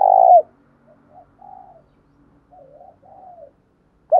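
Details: Decoy spotted dove calling to stir other doves into cooing: one loud, low, drawn-out coo at the start, then soft, quiet wavering coos, and another loud note beginning at the very end.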